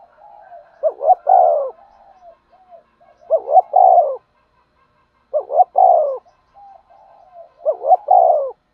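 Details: Decoy spotted dove calling and urging to lure wild doves for trapping: four low repeated coo phrases about two seconds apart, each two quick rising notes then a drawn-out falling coo, with soft cooing fillers between.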